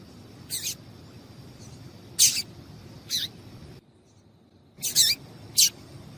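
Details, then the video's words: High, abrupt chirps from a female Double-collared Seedeater calling to get a male singing, spaced irregularly roughly every second or two, with one short silent gap midway and soft hiss throughout. "Piado de Fêmea de Coleiro Chamando Quente Para Esquentar Coleiro tui tui"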